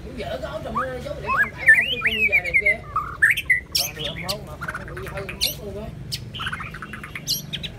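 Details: White-rumped shama delivering fluty rising whistles and a descending trill, followed by scattered clicks and chatter, with low background hum.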